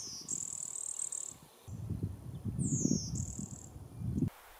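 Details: An uncommon, retiring Blue-winged Warbler migrating in early May in flowering trees at Mt. Auburn Cemetery, Cambridge, Massachusetts, gives two high, dry, insect-like buzzes, each a short note then a longer buzzy one, about three seconds apart, over a low rumbling background.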